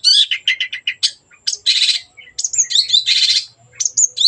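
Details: Energetic long-tailed shrike song used to stimulate other birds to sing: quick harsh buzzes alternating with whistled slurs and dense rasping bursts.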